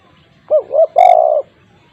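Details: Spotted dove giving a loud call used as a lure for other doves: two short hollow coos followed by a longer, sustained coo, all low-pitched and mellow, in a quiet setting.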